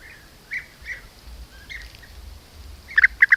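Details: European bee-eaters, a group hunting honeybees at an apiary in Corte Franca, caught on a camera trap: soft rolling mid-pitched calls scattered through, ending in a quick burst of louder trilled notes, with a low rumbling background.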